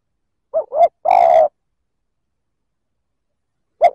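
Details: Spotted dove giving its provoking coo to stir up other males: two short low hoots and a long held coo, then silence before the next phrase begins at the very end.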